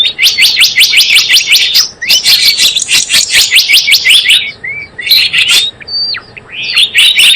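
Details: Java sparrow calls used as a trapping lure: fast runs of sharp, high chirps, several per second, in dense bursts, broken by a few gliding upslurred notes and short pauses.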